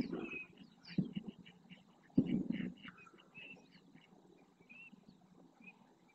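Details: Several flamingos performing a group display dance in the marsh of El Rocío, Doñana National Park, Huelva, Spain, stretching necks, flicking heads, flapping wings and splashing; short nasal honks repeat rapidly over low thuds and splashes.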